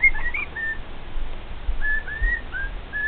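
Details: Singing male pet cockatiel with two companion cockatiels: bright whistled notes, some rising and some level, given in a loose run of about eight notes, with low household rumble beneath.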